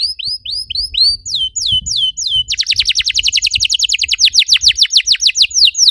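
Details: Canary singing as a lure to stimulate other canaries: paired falling whistled notes, then a very rapid, dense trill of descending sweeps, with faint low thumps.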